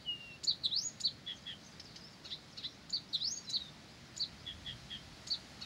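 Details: Never-silent Blyth's reed warbler pouring out high swooping notes, clicks and short chirps in a rapid, irregular stream, several elements recurring.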